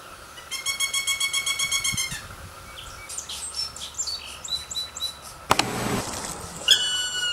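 A woodpecker gives a fast, strident rattle of sharp notes, about eight a second for under two seconds, followed by scattered chirps and a brief noisy burst.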